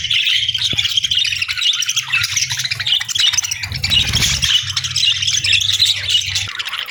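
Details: Budgerigars chirping on a peaceful morning: a dense, continuous chatter of high warbling chirps and squeaks from several birds, with a steady low rumble underneath.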